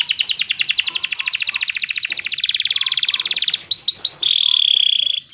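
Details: Long rolling canary song for bird tutoring and provoking: a rapid, dense trill lasting over three seconds, brief chirping sweeps, then a sustained bright buzzy tone.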